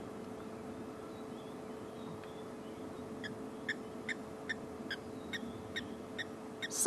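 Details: On a February 12 evening safari during a drought, a Blacksmith Lapwing gives about ten sharp, metallic 'tink' notes, roughly two or three a second, like a hammer striking an anvil, over a low background hum.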